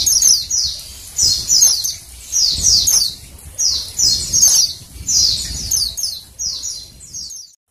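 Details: Calls of a female Oriental white-eye, used to encourage males to sing. Clusters of thin, high, downward-slurred chirps tumble in a steady twittering run for over seven seconds, then stop abruptly.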